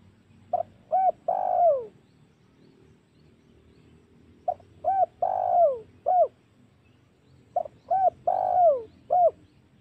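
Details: Spotted dove lure call meant to provoke wild doves for hunting: three repeated phrases roughly every three and a half seconds, each of short notes, a long falling coo and a closing coo, over low background hum.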